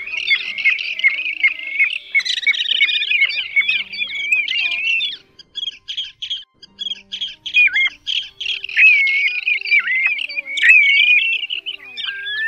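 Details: Plovers of several kinds, played as a trapping lure for night nets: a dense, squeaky chorus of overlapping whistles and chirps, then a run of quick clipped notes and more excited, warbling whistles.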